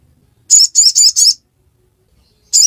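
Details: Ruby-cheeked sunbird (sogon, sogok ontong) singing in the ngiriwek style: a quick burst of four high, buzzy chirps, a pause of about a second, then one more chirp, over a silent background.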